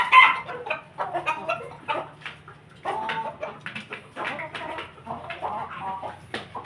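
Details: Ayam Ketawa chicken kept with a family of Pelung and Bangkok chickens; a long run of rapid, broken, chattering crow notes rising and falling in bursts, with other clucking fowl around.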